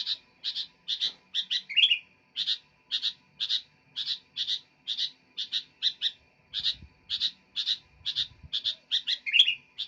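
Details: Sooty-headed bulbul chattering energetically with a long, almost even series of sharp chirps, some doubled. Occasional slurred notes interrupt, and faint low rustling is heard.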